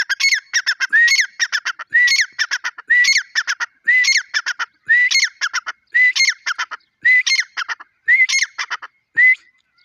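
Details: Grey francolin, called Dakhni or Irani teetar: loud, harsh, repeated phrases, about nine in ten seconds. Each phrase is a rising whistled note followed by rapid stuttering, squawking notes. The background is clean and quiet.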